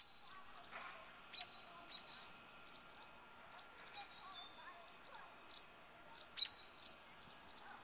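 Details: Barn swallow pair defending their nest against a nearby intruder: steady run of thin, piercing, high chips, grouped in twos and threes and repeated roughly every half second, slightly distant, over a soft hiss.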